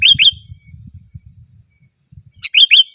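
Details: Sooty-headed bulbul rival-calling notes: a pair of slurred bright chirps, a gap of two seconds, then three more chirps, over a soft low rumbling background.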